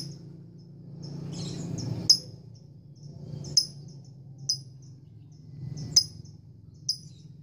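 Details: Caged lovebird, a female courting a male, in the long 'ngekek' chattering style: sharp, very high chirps spaced about every one to two seconds, each with a loud click, over a steady low hum.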